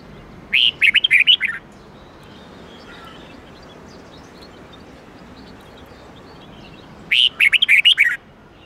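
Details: Red-whiskered bulbul with an '8-9-10 note' twisting song used as training for caged birds: two short phrases of rapid looping whistles, about six seconds apart, with faint low background hum between them.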